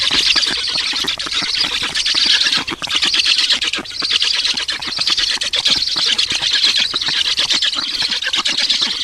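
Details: Black storks at a nest in Estonia during feeding, 18 June 2019 at 10:03: a continuous, dense, hoarse wheezing chatter, rough and noisy, pulsing in waves with brief dips.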